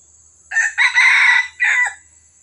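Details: Red junglefowl crow from Johor, Malaysia, used as a lure for wild birds: a loud, clear three-part crow with a short opening note, a long sustained middle phrase and a brief falling end, over a quiet background.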